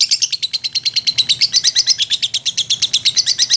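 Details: A long ngekek from a lovebird described as gacor: fast, piercing chatter pulsing about ten times per second, unbroken for the whole stretch, with slight wavering in pitch and no other sounds.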